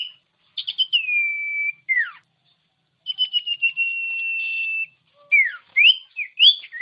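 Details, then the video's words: Common iora tutor song for provoking caged birds to sing. Stuttered notes lead into long level whistles that drop away in steep slurs, ending with quick rising and falling whistled notes. "Masteran Burung Cipow/Sirtu||Bikin Sirtu Emosi"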